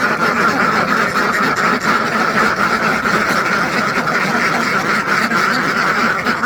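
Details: A big farmed flock of ducks, hundreds strong, keeps up a steady, continuous babble of overlapping quacks that never drops away.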